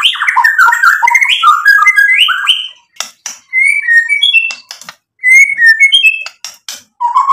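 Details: Provoking rival birds, a white-rumped shama pours out a dense run of rising and falling whistles, then breaks into separate short sweet phrases and sharp clicks between pauses.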